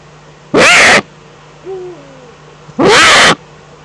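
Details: Eurasian eagle-owl in the Eifel, 11 April 2014 at 3:47: two loud, harsh, hissing bursts about two seconds apart, with a faint low tonal note between them over steady background hum.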